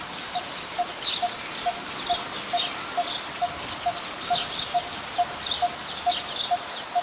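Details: Coppersmith barbet, a very common resident, recorded in Ubon Ratchathani, Thailand, on 1 February 2020: a steady series of hollow, mid-pitched 'tuk' notes, about two per second, over a background of high, scratchy insect-like chatter.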